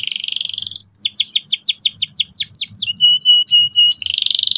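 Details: Canary lure song meant to make young birds roll sharply: a buzzy trill, then a rapid series of steep down-sweeping chirps, a few flat whistles and another harsh buzzing roll.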